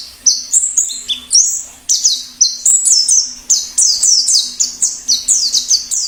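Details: Wild white-eye used to prompt singing and lure wild birds: lively, varied high warbling of short sliding and level notes in quick succession, almost without pauses.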